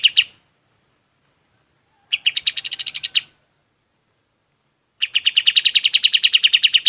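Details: Golden-bellied gerygone singing for use in training other birds: three phrases of rapid, high, ringing notes, the last a steady two-second trill, with clean silence between the phrases.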